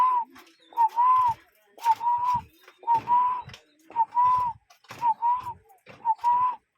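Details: Cuckoo calling in nature, recorded with real birds. Paired whistled notes near one pitch, a short clipped note followed by a longer arched one, repeated about once a second, with faint rustling and clicks behind.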